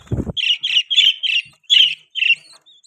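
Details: A low thump, then a budgie chirping in a steady series of six short, harsh high notes, roughly two to three per second.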